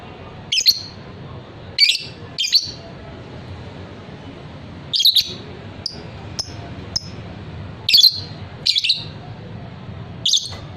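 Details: Sharp shrill squawks from a fighter lovebird, a bird sought by hobbyists, fall in loose clusters with a quiet gap mid-way and a few thin high chirps, over faint background noise.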